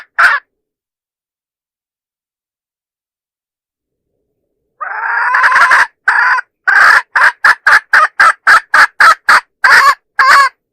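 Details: Decoy hen call for luring roosters: one short note, a long pause, then a drawn harsh cry followed by a fast run of clipped repeated notes, nearly evenly spaced.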